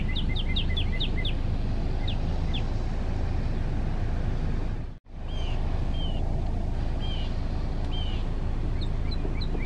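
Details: Male Northern Cardinal song: a rapid burst of short slurred whistles, a brief break in the sound, then slower, spaced downslurred notes, with constant low rumbling noise behind.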